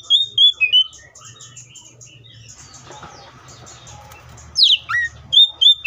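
Oriental magpie-robin song: clear, high whistled phrases with sharp sliding notes, dropping off midway to a faint background hum before the whistles return.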